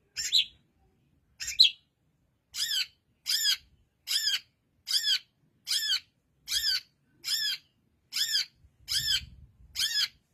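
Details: Long-tailed shrike kept as a songbird, giving a run of evenly spaced harsh chattering notes about two per second after two sharper opening calls, in a quiet setting.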